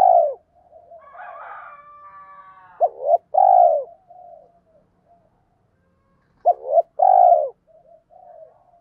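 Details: Spotted dove lure recording meant to provoke wild males into cooing back: loud mellow coos near 600–800, two three-part phrases of a short note, rising note and long falling coo, with soft murmuring coos between.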